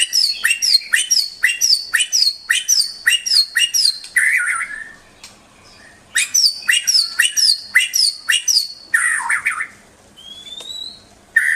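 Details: Two bursts of rapid, high, downslurred whistled notes from a white-rumped shama, each followed by a lower warble, with a thin rising whistle during the quiet gap.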